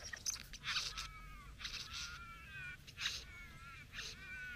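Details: Satin bowerbird courting a female at the bower, producing harsh buzzy bursts mixed with wavering, falling tonal whines, in irregular phrases over a low rumble.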